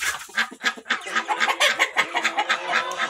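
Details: Barn chickens of mixed breeds, including hens and roosters, recorded July 26, 2023, cluck and murmur together in short, busy notes, roughly two a second, with overlapping mid-pitched calls and a steady barnyard hubbub.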